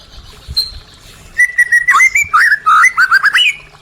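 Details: Song of a white-rumped shama, played to get silent caged birds singing again: after a quiet start with one high note, a fast burst of clear whistles, slurred and bouncing up and down, about three notes a second.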